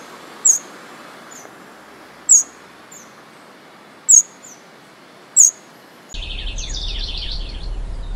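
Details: Eurasian wren song: four very high, sharp single notes about two seconds apart, then a fast, jumbled run of trilled notes over a sudden rush of background noise.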